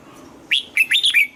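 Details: Single crisp phrase from a red-whiskered bulbul in morning song training for the double-note, mature forest style: four quick, clear whistled notes, each sliding up then down.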